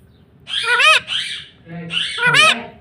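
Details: Green ring-necked parrot kept as a pet, uttering two loud harmonic talking phrases, each rising then falling in pitch, over a low background rumble in a room.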